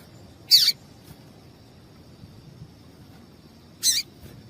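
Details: Female Double-collared seedeater calling twice, short harsh high chips about three seconds apart, a call used to excite males into song, over quiet background noise.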